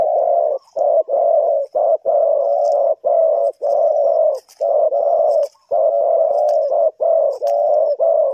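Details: Spotted dove calling to draw wild birds into a trap in Ninh Thuận, Vietnam, giving a long steady series of strong, low, purring coos roughly one every half second, with faint high twittering in the background.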